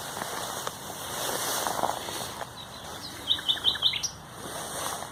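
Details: Singing common nightingale, 30 April 2021: after a quiet start, a crisp phrase of four identical sharp chirps repeated rapidly, then a single higher note, against soft background noise.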